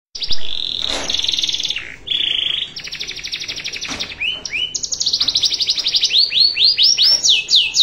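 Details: Canary singing a master song in the cengkok mewah style, used for teaching other canaries: high whistled notes and buzzy trills, then a run of quick descending sweeps growing louder, with a couple of sharp knocks.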